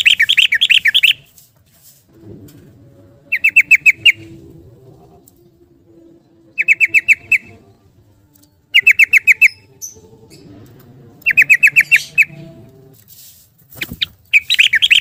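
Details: Yellow-vented bulbul in fast 'ropel' style, played to coax silent caged birds: repeated bursts of rapid bubbling notes, five or six per burst, returning every two to three seconds.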